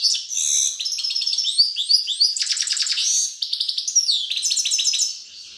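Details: Continuous, lively grey-crowned goldfinch song: high liquid twitters, sweeping whistled slurs and rattling buzzy trills alternating rapidly for over five seconds without pause.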